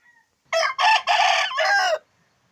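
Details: Recovered from sickness, a rooster gives a full, vigorous crow lasting about one and a half seconds, broken into four rough segments ending in a drawn-out falling note; a faint brief sound precedes it.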